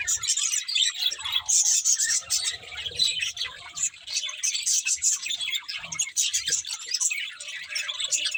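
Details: Budgerigars kept as pets chirping in a lively group, an unbroken stream of high, fast warbling chatter with sharp squeaky notes and small pauses.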